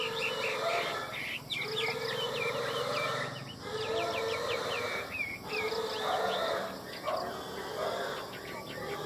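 Chinese hwamei singing bursts of rapid, repeated high notes and trills in quick varied phrases, over a steady low droning background.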